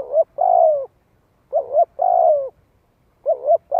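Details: Decoy spotted dove in 'giọng hạp' voice calling to attract wild doves; a brisk two-note lead-in then a long sliding coo, phrase repeated roughly three times with short pauses.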